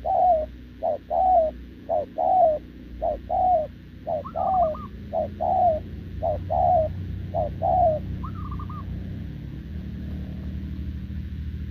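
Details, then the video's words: Spotted dove caught wild, short-legged, cooing steadily next to a decoy bird in November 2024; a rapid series of low paired coos, short then longer and falling, with two higher wavering notes interjected, then quiet background. "gù liền với mồi Đồng"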